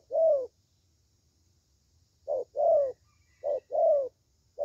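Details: A spotted dove coos in deep, hollow two-part phrases, a clipped note then a longer falling one, spaced by a long gap and then repeated twice.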